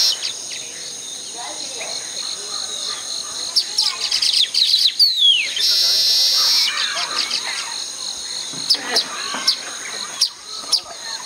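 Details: Baya weaver in a tropical habitat during nest-building: a rapid run of dry chattering chips and a sliding whistle lead into a loud, harsh buzzy wheeze lasting about a second, then scattered chips return over a steady high insect hum.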